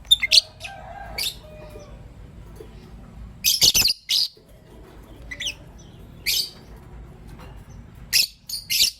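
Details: Lively morning chatter from lovebirds, a green Personata and a pastel white: loud, harsh, high-pitched chirps and squeaks in uneven clusters, some doubled, over nine seconds with brief quiet pauses between.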